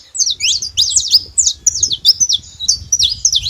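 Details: Wild saffron finches call out loud, clear, high whistled chips and rising-falling slurs in quick irregular succession, with gentle low rumble behind.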